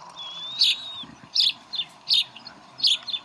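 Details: Bald eagles at the Decorah nest on 11 April 2012, with food being served to the chicks. A long thin whistle, then short, sharp, bright chirps come in clusters about every three-quarters of a second, over a steady low hum.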